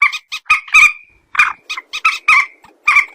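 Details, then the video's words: Common moorhen (mandar batu) phone recording: loud, harsh squawks and stuttering nasal notes, some drawn out into a brief squeal, delivered in an uneven cackling string. "suara burung PERUK/ MANDAR/ TIUNG"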